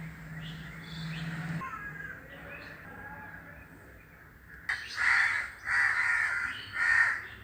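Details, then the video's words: Crows calling, with other birds said to fall silent on hearing them; after quieter mixed sounds and a low hum, three loud harsh caws come in quick succession near the end, each about half a second long. "The crows are making a sound and the birds are silent on hearing the crows."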